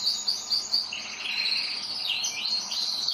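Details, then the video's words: Several pet canaries sing a dense, high warbling song of rapid repeated whistles that run together into a continuous rolling stream. "UM POUCO DOS MEUS CANÁRIO FAZENDO BARULHO!"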